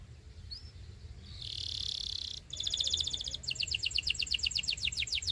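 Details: Belgian canary song for training young canaries, opening with a faint upward whistle, then a smooth sustained buzzy roll followed by a crisp pulsed trill and a slower chopped rattle.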